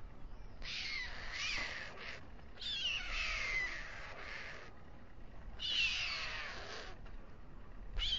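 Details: White stork male feeding his two chicks at nightfall on a nest on the town hall tower of Alcalá de Henares. Loud, drawn-out hissing wheezes with whistled, downslurred overtones come in long bursts about every two to three seconds.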